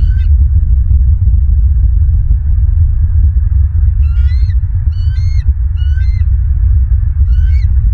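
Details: At a Southwest Florida nest on 16 December 2022, a bald eagle makes one brief squeal, then after a pause a run of five high, thin, rising chattering notes, all over persistent deep rumbling background noise.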